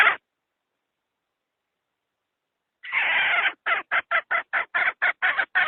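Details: Hen calling as trap bait for wild fowl. After nearly three seconds of silence comes one drawn-out rasping squawk, followed by about ten quick, clipped cackles in an even rhythm.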